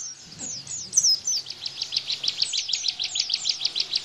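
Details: Bar-winged prinia in 'tembakan' rapid-fire song style, used to tutor captive white-eyes. A few high downslurred notes open, then a brisk run of evenly spaced, piercing chirps follows, roughly three each second.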